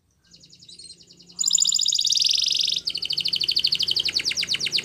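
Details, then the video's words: Spanish Timbrado canary training song: a loud, high, metallic song with a soft opening trill, then a dense buzzing roll and rapid pulsed notes, about four per second. "Canary Training Song | Canary Spanish Timbrado"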